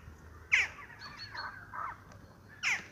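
A western jackdaw gives two sharp, high "chak" calls about two seconds apart, with softer, lower chattering notes in between.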